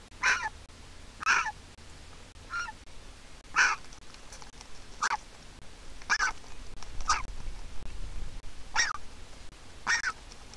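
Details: Griffon vulture chick, hatched 22 April 2021, at a nest-camera site in Israel with a handicapped parent pair, begging for food as its mother arrives: short nasal squawks repeated about once a second, a dozen in all, over a faint low hum.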